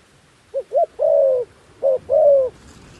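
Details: A decoy dove calls to attract wild doves, giving two quick soft notes and a long level coo, then a shorter note and another long coo, against faint low background rumble.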